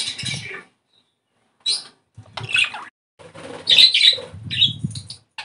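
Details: Budgerigar song played to stimulate breeding condition: short scratchy chirps and squeaky notes in separate bursts with silent gaps, plus soft low thumps between them.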